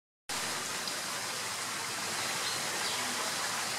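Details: After a brief silent start, a constant hiss like rushing water or a waterfall covers everything, with no animal sound heard.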